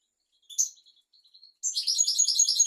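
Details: European goldfinch singing for tutoring young goldfinches and canaries: a few soft, thin high notes, then a sudden loud, dense, rapid twittering trill that runs to the end.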